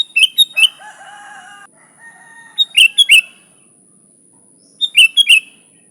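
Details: Sooty-headed bulbul in full song, an unmixed luring recording: three quick liquid four-note phrases, the first overlapped by a lower droning, harmonic call from another animal; a faint steady high whine runs throughout.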